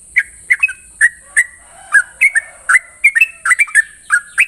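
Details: Sooty-headed bulbul in morning song, 'ropel' style: loud, clear whistled notes, some slurred downward, some rising, given in quick bursts with brief gaps, against a steady faint high hiss.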